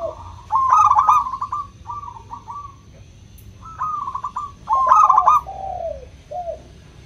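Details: Zebra dove of a local type, crystal-voiced, calling to stimulate doves that seldom sing. Two bursts of loud rippling staccato cooing about four seconds apart, each trailed by quieter falling coos.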